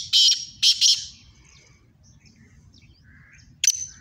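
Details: Sindhi black francolin calling against a rival: a strident phrase of three grating bursts, a long quiet gap with faint distant chirps, then a sharp new note starting the next phrase.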